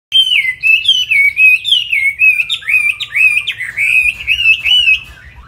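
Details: Chinese hwamei singing a rich, continuous run of fluid whistled phrases that slide and warble up and down, over a low steady hum.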